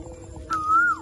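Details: Indian ringneck parakeet giving a single drawn-out whistled note, level then sliding downward at the end, preceded by a sharp click, over a low steady hum.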